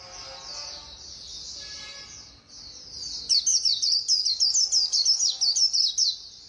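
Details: Fast-singing white-eye, Khuyên Líu style. Soft high warbling gives way to a loud, rapid three-second string of bright, jerky chirps, each note quickly rising and falling.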